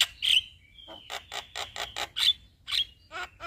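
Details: Lively male Javan myna singing its long rolling song, mixing squeaky whistled slurs with a steady series of dry rasping notes, roughly three per second.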